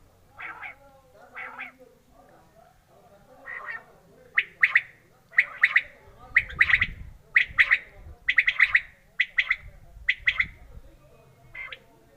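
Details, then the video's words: Quail giving rasping, squawky double and triple notes at about one burst per second, starting faint and growing louder and more regular, against a mostly quiet background with a little low noise. "Quail sound/Batir ki aawaz/بٹیر کی خوبصورت آواز/بٹیر کی بولی"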